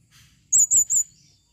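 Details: A female Blue-crowned hanging parrot calls in 2021, giving three loud, piercing, slightly warbled high notes in quick succession, each about a tenth of a second long.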